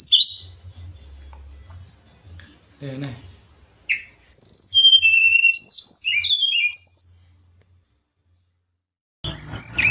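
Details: Pied fantail song used as contest material: an opening whistle, a short low noise, then a lively string of high, quick, varied chirps and whistles for about three seconds, quiet, then a harsh final burst.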